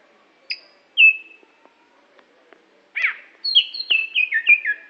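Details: Greater green leafbird from Aceh, a competition bird, gives a few isolated whistles, then a buzzy downslurred note followed by a rapid series of descending, stepped whistled slurs.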